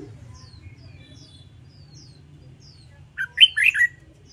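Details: Red-whiskered bulbul singing in competition style, a training recording for wild-caught birds: thin faint high twitters, then one loud, rich phrase of three to four tumbling whistled notes at the close.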